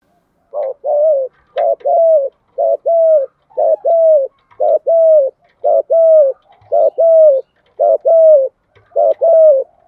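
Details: Spotted dove with a voice of the thổ pha đồng style, cooing to spur cooing in decoy birds being trained: low mellow coos, each a short lead note then a longer, slightly falling coo, repeated steadily about once a second.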